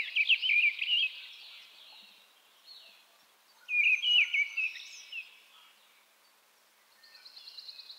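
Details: Redwing (Turdus iliacus), listed among Russia's best songbirds, song: two bursts of scratchy, twittering notes, each about a second long and a few seconds apart, then a faint high trill.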